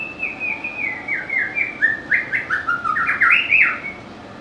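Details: White-rumped shama, a songbird valued by bird keepers for its sweet, varied voice and mimicry, delivering a rapid run of fluty whistled notes that step downward then leap upward, about three or four notes per second.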